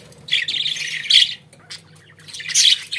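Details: Loud close budgerigar chatter from caged pets: two harsh, grating bursts of warbling, a short quiet gap with faint clicks, then another rasping phrase rising sharply at the end.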